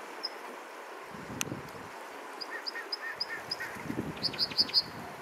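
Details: An American Dipper singing in Alaska on 7 June 2022 gives high, sharp whistled notes in a quickening series, ending in a rapid cluster of piercing notes over steady rushing water.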